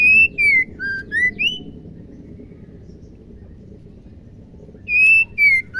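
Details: Female white-rumped shama, a caged songbird whose voice is played to stir males into singing: clear whistled notes, some sliding down and others rising, delivered in a quick run of about six, a pause, then another burst.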